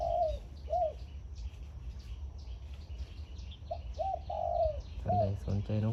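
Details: Zebra dove decoy bird in the morning, singing in the local 'khan yon' style while turning left and right: clear, soft cooing notes, some rising and falling, in short groups, followed by a man speaking.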